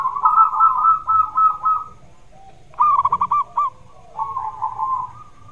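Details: Zebra dove singing steadily, used to stimulate a dove that sings little: a long buzzy trill, a short silence, then a crisp series of separate pulsed notes and a softer closing trill.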